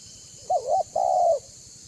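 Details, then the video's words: A single spotted dove coo in the banggo style, used to attract other doves: a short wavering double note, brief pause, then a longer smooth note that drops at the end, over a faint hum. "Suara Burung Tekukur BANGGO Gacor Membuat Terkukur Lain Auto BUNYI Dan MENDEKAT !!!"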